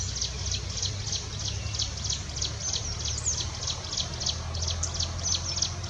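Jungle prinia singing a steady run of high, dry ticking notes, about two or three each second, over a low background rumble.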